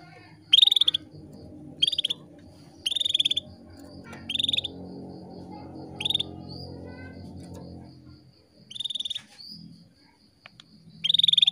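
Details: Female canary call meant to stimulate males into breeding: brief buzzy trilled bursts repeated every one to two seconds, with a low background hum and a constant faint high tone.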